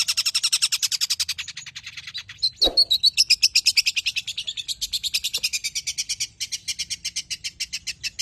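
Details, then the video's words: Long-tailed shrike, a tame caged bird, in rapid-fire mimicry-rich song meant to prompt and train other birds: a long run of quick, evenly pulsed high ticking notes, briefly rising into a sweeping trill midway. "BURUNG CENDET JINAK GACOR JUARA SUARA FULL ISIAN NEMBAK"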